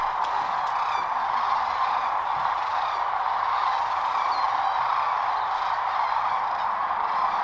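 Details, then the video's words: A large flock of Sandhill Cranes coming in to roost on the Platte River, central Nebraska, during March migration staging, gives a dense, continuous chorus of rolling, rattling trills, steady and loud with no pauses; the trill carries for miles. "And there is no other animal that makes that noise, but the Sandhill Crane."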